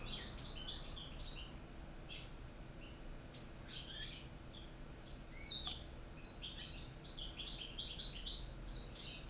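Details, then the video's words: Caged European goldfinches singing the true Corsican song style; a Corsican bird first, alongside one from North Africa and a small one from Spain. Dense, rapid twittering of bright chirps, trills and tinkling notes runs without pause over a steady low hum. "chardonneret vrai chant de corse"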